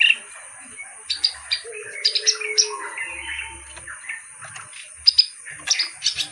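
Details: Clamorous reed warbler singing vigorously, sparse harsh chips and short scratchy phrases spread across the clip, with a soft low dove-like coo in the background.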